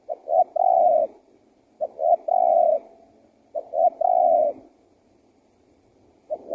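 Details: Wild-dove luring call of a spotted dove: three phrases about a second and a half apart, two clipped coos then a long steady coo in each. A fourth phrase starts at the end.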